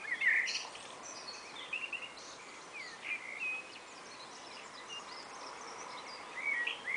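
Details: Two common blackbirds calling back and forth on a spring afternoon: scattered thin whistled and chirping phrases, louder bursts near the start and end, with other high chirps and a steady outdoor hiss behind.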